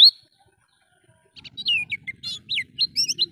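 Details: Oriental white-eye singing ngalas style for training caged birds: a single sharp note, a second of silence, then a run of high slurred whistles and quick chips over a faint low hum.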